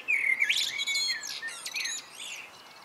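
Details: Common blackbird singing in the evening: a mellow, fluted phrase that breaks into a higher, squeaky twitter, all within about two seconds, against a quiet background.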